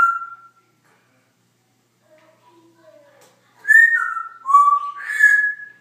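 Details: Pet Congo African grey parrot at home: a short whistle, faint low notes, then three loud whistles in quick succession, each sliding lower before a final rising, warbled note.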